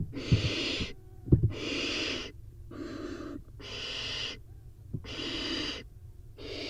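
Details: Barn owl chicks in a nest box, four nestlings competing over a prey delivery; harsh broadband hissing bursts about a second long recur steadily, with a few dull thuds between them.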